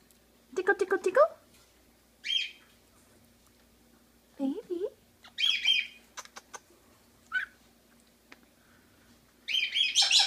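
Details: Pet Quaker parakeet talking in a room, uttering a rapid stuttered string of syllables, then several harsh buzzy speech-like phrases, a lower wavering word, clicks, and a final loud squawky burst.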